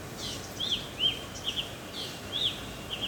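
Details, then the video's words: Black drongo calling: short, high, slightly scratchy notes given in small bursts about twice a second, each note arching then dropping, over faint steady background noise. "Beautiful Sound of Black Drongo"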